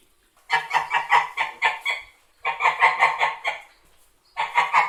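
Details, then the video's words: White domestic geese give loud, nasal honks in three quick bursts, each a run of about five or six harsh honks close together, with short quiet gaps between bursts. "White Geese Honking"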